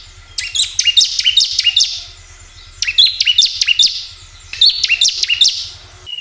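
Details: Bar-winged prinia song used to stir caged birds to sing: three phrases of sharp, high, descending chirps in rapid sequence, over a steady low mechanical hum.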